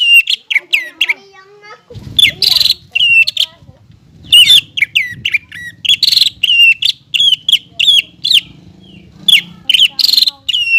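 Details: Greater green leafbird, a persistent 'gacor' singer played to stimulate untrained birds: quick chains of bright, hooked whistles with occasional harsh buzzy notes, over a low rumbling background noise.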